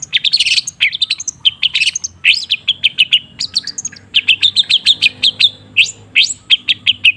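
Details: Long-tailed shrike song used as a lure to coax a silent bird into singing: rapid, scratchy chattering notes in dense bursts, interspersed with short sharp chips, lively and almost continuous throughout.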